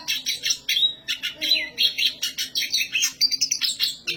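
Black siskin giving a fast, continuous twittering song of high chirps, trills and buzzy notes, with brief whistled slurs running throughout.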